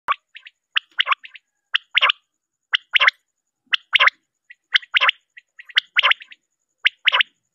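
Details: Female common quail calling: short, sharp, rasping double and triple notes in clusters, repeated roughly once a second throughout, with faint quieter notes between the bursts and a silent background.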